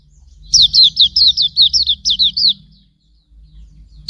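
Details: Hume's white-eye tutor song for cage birds: a rapid burst of about a dozen high, downslurred whistles over two seconds, then quiet, with a faint low hum underneath.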